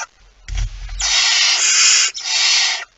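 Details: Barn owl at the nest with prey, 23 September 2019 after midnight: a dull knock, then one long continuous rasping hiss lasting over a second, broken briefly and resumed.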